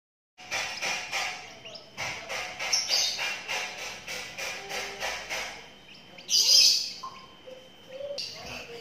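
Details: Twelve-day-old lovebird chick calls in a steady run of scratchy, high chirps about twice a second. A louder, shrill burst follows, then softer squeaks.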